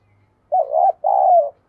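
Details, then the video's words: Spotted dove giving a luring decoy call: a deep warbling coo followed by a smoother, longer coo that tails downward, with a faint low hum underneath. "Chim Cu Gáy Mồi Cây Mới Nhất Chuẩn Kích Bổi"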